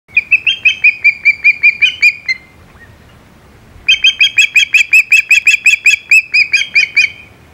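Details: Osprey at the Hog Island nest on 17 July 2020 as a shad is delivered: two bursts of rapid, sharp, whistled chirps repeated about two to three times a second, separated by a short quiet gap.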